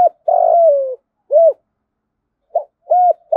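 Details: Decoy spotted dove in daily coo training. It gives a long, level coo that sinks at the end, then separate arched notes spaced about a second apart. The setting is quiet, with no other sounds.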